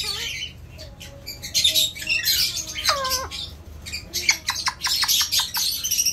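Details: Alexandrine parakeet, a talking pet bird, making a rising, wavering speech-like phrase around the middle, followed by rapid high chirps and squawky bursts toward the end.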